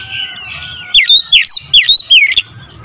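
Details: Morning lure song of an oriental magpie-robin: a brisk series of loud, clear whistles, each falling then rising, about six notes in just over a second, with soft twittering of other birds before it.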